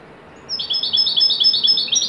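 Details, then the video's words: Moroccan 'wedani' goldfinch singing in top form, described as joyful: after a brief quiet start, a rapid string of high, tinkling, twittering notes repeated several times a second, steady and bright, over soft background hiss. "تغريدة طائر الحسون الويداني المغربي"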